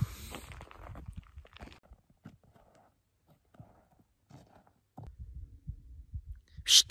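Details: Low thumps, handling noise and a few soft rustles, with a sharp burst of noise near the end; no animal calls stand out.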